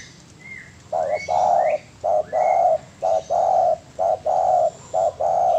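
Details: Spotted dove song for training birds: a steady run of paired coos, a short hoot then a long flat coo, repeated about once a second; a few high chirps at the start.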